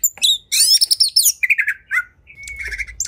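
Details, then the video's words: Oriental magpie-robin, a kept songbird, singing agitatedly in a fighting mood: rapid harsh squawks and bright whistled phrases, buzzy chatter descending in pitch, then a long thin whistle and clipped notes. "Kacer Gacor Tarung Emosi Tinggi! Buat Kacer Lain Langsung Ikut Emosi Auto Buka Ekor"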